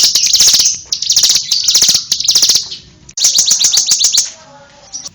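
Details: Bar-winged prinia giving almost continuous rapid, buzzy, high-pitched chips, then a brief break before another quick trill of sharp notes.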